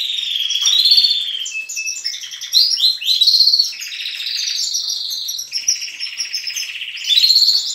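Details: Morning chorus from a canary breeding room where juvenile and adult canaries sing together: varied rolling trills, a brief pure whistled note, and bright chirped phrases that change every second or two, with overlapping voices.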